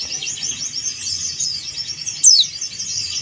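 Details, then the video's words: Dense high chattering from a male Bali yellow-breasted white-eye calling a rival, broken once by a single sharp, bright, falling whistled sweep past the two-second mark. "SUARA CALL PLECI JANTAN DAKUN BALI MANGGIL LAWAN"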